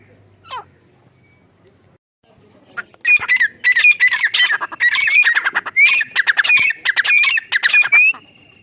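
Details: Female francolin (teetar) calling, a hunting call, from Rahim Yar Khan, Punjab, Pakistan: after a brief quiet start, a loud harsh squawking series of rapid grating bursts broken by sharp rising whistles, repeating steadily for about five seconds.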